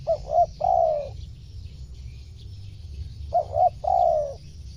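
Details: Spotted dove, called tekukur, used to lure wild birds: two cooing phrases, each two short hooting notes followed by a longer drawn-out coo, separated by about three seconds of quiet with low background hum.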